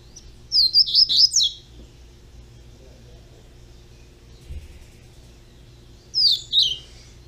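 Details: High, rapid warbled phrase from a young double-collared seedeater, five quick slurred whistles at the start, then a long pause and a shorter two-note burst near the end; soft background hum.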